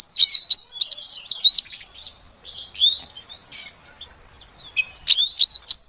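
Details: Female Oriental magpie-robin calling to stir a silent male into singing: rapid series of high, sharp rising chirps with sweeping whistled notes, about three per second, a brief quieter gap, then another burst of repeated chirps.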